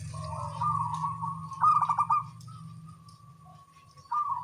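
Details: Small-voiced local zebra doves in a morning exchange: a drawn-out purring coo, a louder pulsed stutter in the middle, a thin fading tail, then a new phrase begins; low hum behind.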